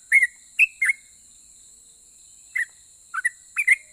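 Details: Sooty-headed bulbul that gets other bulbuls to answer, singing three quick whistles, pausing over a second, then a cluster of short slurred notes near the end.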